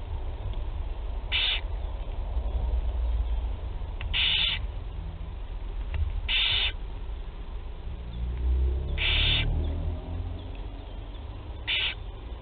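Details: Barn owl chicks in a nest box at Théding, France, begging at their first feeding on 8 July 2020: short hissing screeches repeated every two to three seconds over low rumbling hum.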